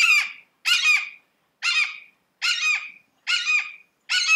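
A Red-shouldered Hawk gives six loud, harsh 'kee-aah' screams in a steady series, each slurring downward, a little over one per second.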